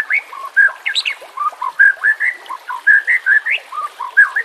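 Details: White-rumped shama song in the harsh 'nembak' style, used for training birds: short whistled notes swapping between low and mid pitch, quick and uneven, about one every second or less.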